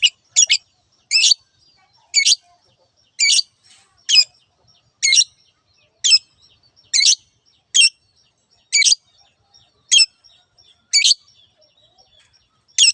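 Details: Long-tailed shrike, known locally as cendet, giving its "teot teot" calls: short harsh high chirps, often doubled, repeated about once a second in a steady series with clean silent gaps.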